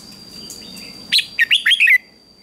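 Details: A red-whiskered bulbul sings one lively phrase of five whistled notes, ending in a falling slur, during a morning singing contest, after a second of faint background warbling.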